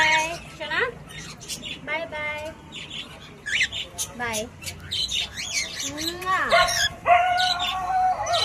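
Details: Pet cockatiel giving natural calls and singing: a series of harsh squawks and whistled notes, some sliding downward, others rising, mixed with a person speaking Hindi nearby.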